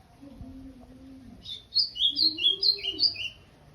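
An Ultramarine grosbeak sings a quick phrase of about eight clear, sweet whistled notes, alternating high and low and drifting downward. A faint low hum comes just before.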